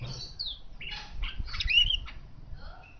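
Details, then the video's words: Asian golden weaver singing actively: a fast, scratchy chatter of buzzy squeaks and thin rising whistles, over a low rumbling background noise. "Manyar emas Gacor door suara alami"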